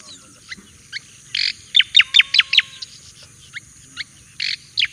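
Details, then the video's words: Javan white-eye singing as a master song for training: sparse high chirps, then a buzzy note leading into a rapid cluster of sharp downslurred notes, then more scattered tweets and a final buzzy note. "Suara Burung Cica Koreng Jawa : Masteran yang Handal Dan Banyak Dicari"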